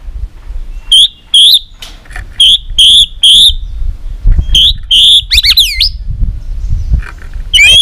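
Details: White-rumped shama in competition singing, tail-flicking and singing hard, trained for long, varied forest-style song. Loud, clear whistled notes come in short repeated bursts, then a fast swooping rising-and-falling phrase and a final whistle, over low rumbling background noise.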